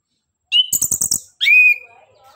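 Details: Anis kembang, the orange-headed thrush of Southeast Asian forests, singing a lure phrase: a short whistle, then a burst of four quick harsh clicking notes, followed by a long, clear, steady whistled note that fades.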